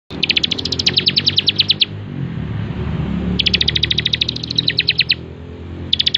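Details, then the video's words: Bar-winged prinia singing prolifically, kept as a master recording for training songbirds: bursts of rapid, evenly spaced high chipping notes, roughly ten per second, each burst lasting over a second with short pauses between, over a low steady background hum. "masteran 100% terbaik burung ciblek gacor"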